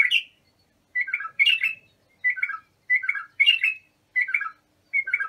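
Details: Bulbul song used for training young bulbuls: short bright warbled phrases of two or three notes, repeated roughly every second with brief silent gaps between them.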